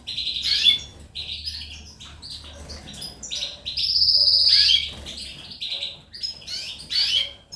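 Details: European goldfinch singing on 19 May 2018: a lively run of chirpy twittered notes broken by a sustained buzzy trill mid-phrase, then more quick tinkling chirps.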